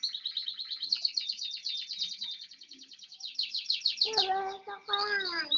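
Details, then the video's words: Rapid, evenly repeated high chipping notes, about eight per second, from a one-year-old bar-winged prinia, ending in a harsher, lower, harmonic rasping burst. "burung ciblek 1tahun"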